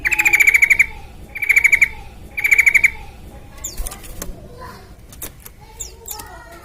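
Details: Sooty-headed bulbul singing profusely, played as a lure so other bulbuls start singing; three fast pulsed, buzzy trills about a second apart, then scattered soft chirps and a few sharp clicks.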